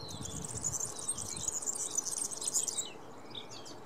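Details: European serin delivering a high, buzzy, tinkling song of rapid jumbled notes lasting nearly three seconds, ending abruptly, with a few quieter chirps after and low rumbling background noise.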